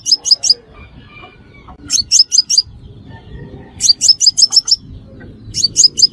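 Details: Lure call of a Crimson sunbird for bird trapping: bursts of four to six quick, shrill high-pitched chirps with gaps of about a second between groups.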